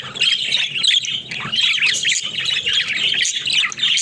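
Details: Several budgerigars playing inside their cage, giving a constant high chirruping warble mixed with harsh squawky notes, the chatter rising and falling in loudness but never stopping.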